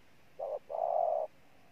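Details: Spotted dove, newly caught from the wild, giving a single coo phrase: a short note followed by a long, steady coo over a faint hiss.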